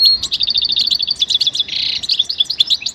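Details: Goldfinch song for training: dense, fast tinkling twitter throughout, broken by a short harsh buzz midway, then lively chattering notes to the end.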